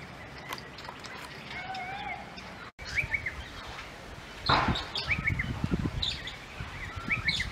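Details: Northern fantail at Edith Falls, Northern Territory, Australia, recorded 31 July 2022; short upslurred chirps given in quick clusters, with other faint bird notes and rumbling background noise in the second half.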